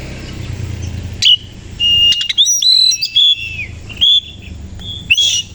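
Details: Morning song of an Oriental magpie-robin opening its tail, with sweet drawn-out whistles, sharp upward slurs and quick chattering notes against constant hiss.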